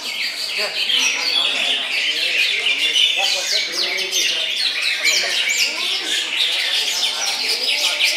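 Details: Greater green leafbird, a caged contest bird, singing at a songbird competition at Gantangan Puspa Agro on Sunday, 16 June; rapid, dense chattering warbles and high trills run continuously, overlapping other birds' notes.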